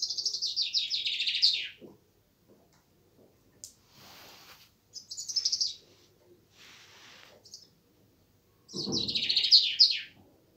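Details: Common chaffinch, tagged Samsun, gives two bright, rattling song phrases that tumble downward in pitch and end in a flourish, with a few short chirps and faint knocks between.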